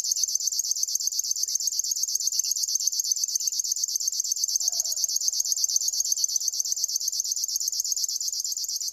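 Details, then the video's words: Continuous mechanical song of a river warbler: rapid, even, cricket-like pulses repeated about ten times a second without pause, high and sizzling, with a brief faint lower sound in the background partway through. "try to hear this River warbler"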